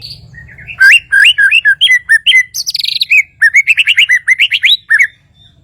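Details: White-rumped shama from Kalimantan (Borneo) singing a rapid run of loud, clear whistled notes, many sliding upward. A brief buzzy, higher-pitched burst sits midway, and a low hum lies underneath.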